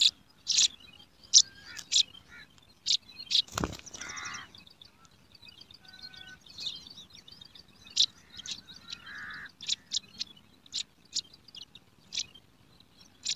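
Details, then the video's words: Hungry sparrow chicks in a garden nest begging as a parent feeds them: short, sharp high chirps repeated irregularly, roughly every second and a half, with one loud knock near the start and a few lower, harsher notes. "Yellow Sparrow bird Feeding Their Babies In Nest | Sparrow Nest In Garden | Hungry Sparrow chicks"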